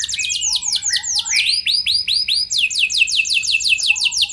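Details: Canary song played as a lure for other canaries: layered rapid chirps and steep downward-swept whistles in quick succession, the repeated notes forming a continuous lively trill.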